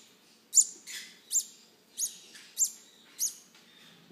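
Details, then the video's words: Begging green-cheeked conure chicks at hand-feeding time: six or seven quick, harsh, high squeals come in fairly steady succession, about every half second, against near silence. "Hand Feeding Baby Green Cheek Conures"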